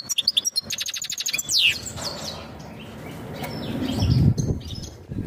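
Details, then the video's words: European goldfinch mating call for preparing a female to breed: an opening burst of fast, high twittering chirps and a rising slur, then fading into a dull, rumbling background noise. "تغريد الحسون نذاءات التزاوج لتجهيز أنثى الحسون"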